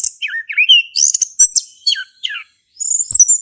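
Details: Male orange-headed thrush in active song in the ngeplong style, played to prompt a silent thrush to sing: high whistled slurs dropping and rising, then sharp chirps and thin high notes after a brief pause.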